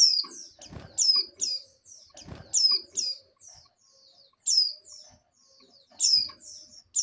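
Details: Oriental white-eye female in breeding condition calling the male, answered by other females; bursts of high, sharp down-slurred chirps in clusters, with soft tapping and rustling noises between calls.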